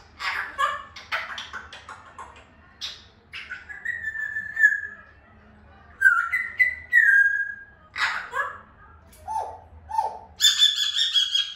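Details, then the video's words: Grey parrot, an African grey, mixing scratchy chatter, long level whistles, two short low honks and a closing harsh, buzzy squawk, with a faint hum behind. "Natural parrot sound 😍🦜 مقطع تحفيزي لببغاء الرمادي الافريقي"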